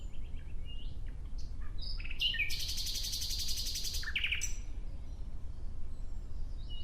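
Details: Nightingale outdoors singing scattered short notes that lead into a dense, buzzy trill held for about two seconds, ending in a few sharp notes, all over a low steady rumble.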